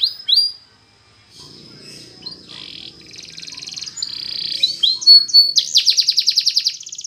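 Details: Canary training song, Spanish Timbrado style: scattered high chirps, a soft pause, buzzy trilled phrases and held whistles, ending in a rapid loud rattling trill.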